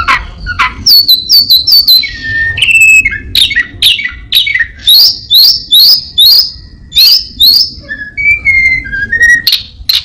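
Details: Captive orange-headed thrush in full mimicry song, copying other birds and a cat: a long series of sharp, steeply sliding chirps repeated about once a second, with a few lower whistled notes.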